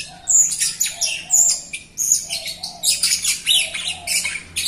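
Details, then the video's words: Jalak Rio myna in full chattering song, used as a lure to stimulate other Jalak Rio birds that are slow to sing; dense sharp squeaks, shrill whistles and scratchy notes, with a faint lower whistled note repeating underneath. "JALAK RIO GACOR untuk pancingan RIO RIO BAHAN OMBYOKAN & MALAS BUNYI"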